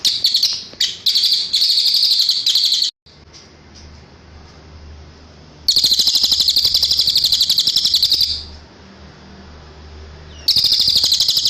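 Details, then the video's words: Cililin song from a master recording for tutoring cage birds; long runs of rapid, high buzzy trilled notes repeated about four per second, broken by quieter pauses with low hum. "MASTERAN CILILIN suara asli jernih"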